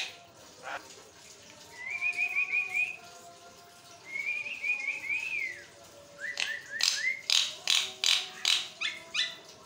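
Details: Javan myna song kept going nonstop to set other mynas singing: two quick runs of warbled notes, then loud harsh rhythmic bursts repeated about every half second.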